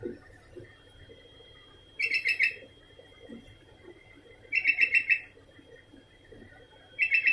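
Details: Sooty-headed bulbul singing without pause: quick bursts of five or six bright, bubbling notes recurring every two to three seconds, against low murmuring background noise and a thin constant tone.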